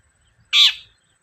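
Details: Long-tailed shrike (cendet) lure call to draw out singing: one loud, rough, scratchy screech lasting under half a second, dropping slightly in pitch as it fades.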